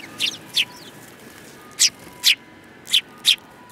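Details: Several sparrows in Japan, among them one with a yellow beak, recorded on 21 January 2018: short bright chirps given singly and in pairs over a steady background hiss.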